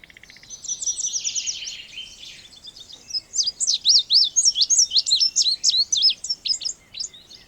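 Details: Indigo bunting singing a fast run of high, sharply sweeping paired notes in the second half, after softer buzzy trills and a faint dotted chatter from other birds at the start.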